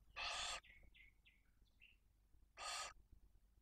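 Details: At a barn owl nest in Cabañeros National Park, with two chicks one and four days old, during feeding on prey. A harsh broadband hiss, a string of soft descending high chirps, then a second rasping hiss.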